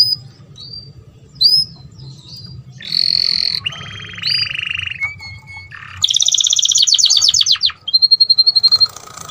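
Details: Mating canary singing to stimulate other birds: short high whistles, then varied buzzy trills and rolls at different pitches, a fast rattling trill near six seconds, ending with a quick repeated series of sharp notes.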